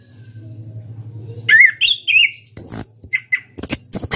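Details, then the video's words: A caged orange-headed thrush, national champion, sings in ngeplong style: a fast series of slurred whistles and buzzy notes, then a dense run of sharp, high chirps and scratchy phrases, a faint hum beneath. "KICAU ANIS KEMBANG NGEPLONG"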